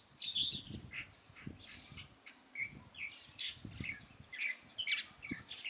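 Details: Light-vented bulbul recorded on 16 April 2023, giving short chirpy and squawking notes in irregular bursts, some sliding downward, with low thumping knocks and handling noise underneath.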